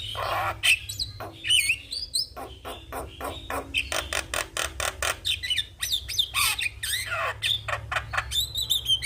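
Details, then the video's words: Javan myna in energetic song for training young mynas: dense harsh squawks, rasping bursts and sharp whistled notes in quick succession, with loud broadband chatter throughout and a low hum underneath. "Burung jalak Kebo Gacor manggut2 Pas Untuk Masteran dan Pancingan Jalak Muda"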